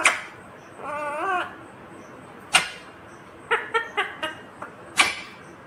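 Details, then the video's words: Green ringneck parrot saying one short wavering speech-like phrase. Sharp clicks and a quick series of tapping sounds come around it against a quiet background. "Natural Sound of Talking Ringneck green parrot"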